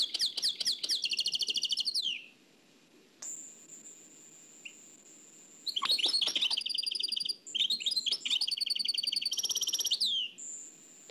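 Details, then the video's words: Nightingale song in the Oued El Alleug manner, dubbed from an old cassette: a quick rattling trill, a long thin steady whistle held for about two seconds, then sharp chips and rapid rattled phrases. "تغريد واد العلايق نقلته عن كاسيت قديم بصحتكم خاوتي معمر روسينيول"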